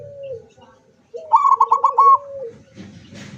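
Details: Zebra dove singing with open beak: a low soft coo, then a loud rapid stuttering run of short notes over a continuing coo, fading into a rustle.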